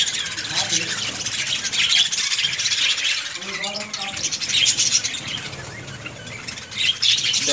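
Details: Budgerigars in a breeding colony, many birds chattering together in a dense, continuous mass of high warbling and chirping notes, with faint human voice underneath in the middle.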